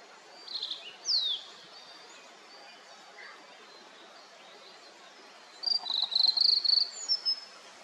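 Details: Blue-and-white flycatcher in misty mountains after rain: a single downward-slurred whistle early on, a quiet stretch, then a lively run of high warbled notes near the end.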